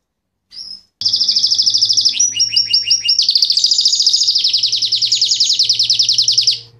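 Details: A male Fife Fancy canary sings a loud, continuous high song of rapid trills and rolling chirps, shifting through several fast repeated phrases with a faint low hum behind.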